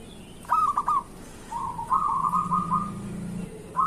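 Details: Local zebra dove singing in the morning, used to prompt idle zebra doves into song: a sharp rising note, then rolling cooing trills, a long rapid trill holding steady, and a fresh phrase starting at the end.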